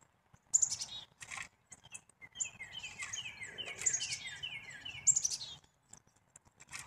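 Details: Black-capped chickadee calling: sharp high chips, then a run of quick descending notes repeated in an overlapping series for about three seconds, with more high chips after it and faint low rumbling beneath.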